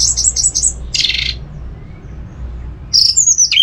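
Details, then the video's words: Caged orange-headed thrush in Singaraja, North Bali, uttering a quick series of high rising chirps, a buzzy harsh burst, a pause, then a sharp falling whistled phrase, with low background hum. "ANIS MERAH TELER"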